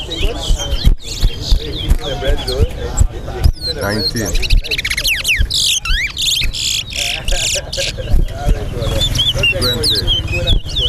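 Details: Chestnut-bellied seed finch, locally towa towa, singing in a Guyana competition between two sides; clear whistled phrases rise and fall repeatedly, broken by rough buzzy passages, with voices and music underneath.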